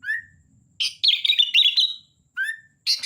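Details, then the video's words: Kutilang, the sooty-headed bulbul, singing: a short rising whistle, then a rapid wavering warbled phrase, another rising whistle and a final harsh chirp. "Suara Kutilang Gacor Dorr‼️"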